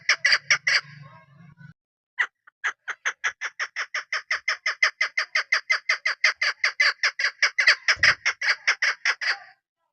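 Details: Female chukar partridge, a hill bird kept as a hunting decoy, gives a fast run of sharp, clucking chuk notes repeated several times a second, with a brief pause after the opening notes and a low hum at the start.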